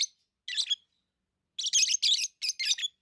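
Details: Lovebird chirping: shrill, harsh, broadband chirps in short bursts, one early pair, then a rapid run of five scratchy notes near the end, with silent gaps between and no other sounds.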